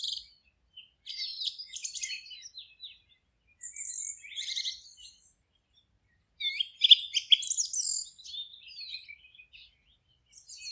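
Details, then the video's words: Songbirds in a forest deliver busy, overlapping chirping phrases of high twitters and short whistles in two main bouts separated by a quiet gap, with no background noise. "Forest relaxing sounds of singing birds"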